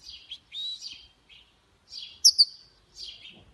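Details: European goldfinch hybrid (mule) in a khalawi-style singing performance, giving separate short buzzy chirps and slurred high notes with brief pauses, one sharper doubled note near the middle.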